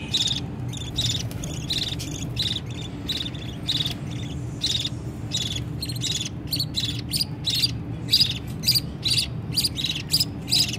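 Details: Baby budgerigars calling to their parent for food: dense, rapid raspy chirps that quicken and overlap toward the end, over a constant low background hum.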